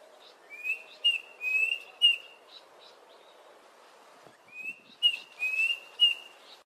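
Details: Red-chested Cuckoo, southern Africa, giving two bursts of loud, clear whistled notes, three or four to a phrase, over soft background chirps from other birds.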